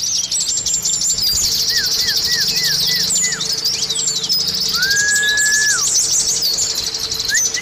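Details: Lure song of the Oriental white-eye, meant to get caged birds singing fast: dense, high-pitched chattering twitter throughout, with a series of short lower slurred whistles and one drawn-out whistle, over a faint steady hum.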